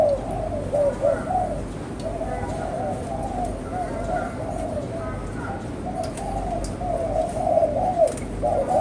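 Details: Spotted dove, kept as a pet, giving low, wavering cooing phrases that run almost continuously with slight pitch undulations; faint rustling and occasional clicks in the background.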